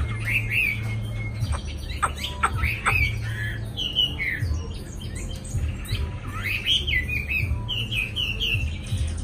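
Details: Chinese hwamei, newly acquired and caged, delivering a long varied song of looping whistles, abrupt sharp clicks and rising slurs, with phrases changing every second or two, over a constant low-pitched hum.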